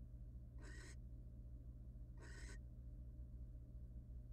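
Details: Wild barn owl at a monitored nest box, giving two harsh, hissing screeches about two seconds apart over a steady low hum.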